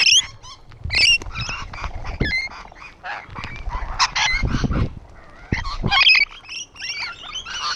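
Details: Shrill, high-pitched screeches and sharp chirps from a flock of rainbow lorikeets on a wall, tumbling over one another in quick succession, with some dull low-pitched knocks mixed in.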